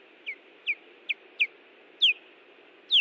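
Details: Ospreys defending their Hellgate Canyon nest in Missoula, Montana, June 18, 2017: rapid run of six loud, shrill downslurred whistles roughly every half second, growing stronger and longer toward the end, with faint background hiss.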